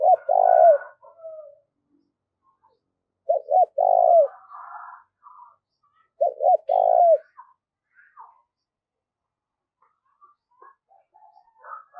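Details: Spotted dove acting as a decoy to lure wild doves, repeating its phrase of two short hoots and a long falling coo three times, roughly every three seconds, with scattered faint higher chirps from other birds.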